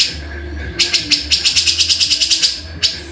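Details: Brief burst from a grey-cheeked bulbul (cucak jenggot): roughly a dozen quick, raspy repeated notes in an even run, then a single final note, low hum behind.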